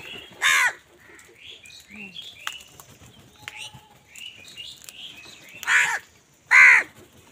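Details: Crow calling while wild birds fight with crows for food: three loud harsh caws at start and end, with scattered chirps and twitters from other birds between.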